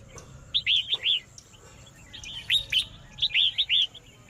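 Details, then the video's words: Red-whiskered bulbul song used to stir up a rival bird: three short clusters of clear, lilting whistled notes, each cluster of three to four quick slurred syllables, over a quiet background. "Chào mào hót kích trống"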